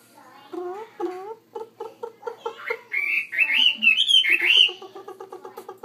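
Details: Chinese hwamei singing in a bigger cage, mixing upslurred notes and a run of evenly spaced chips with a loud fluty warble in the middle, then returning to rapid repeated short notes.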